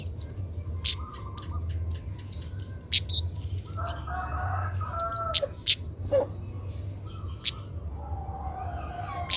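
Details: Young Oriental magpie-robin practising its song during training: scattered high chirps and short whistled phrases, a burst of mid-pitched warbling notes around the fourth second, over a constant low rumbling hum.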